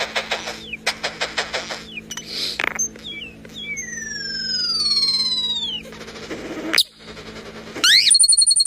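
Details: A common starling mimicking recorded sounds runs through a medley: rapid clicks, descending whistled glides, buzzes and sharp electronic-sounding beeps, with a steady low hum behind.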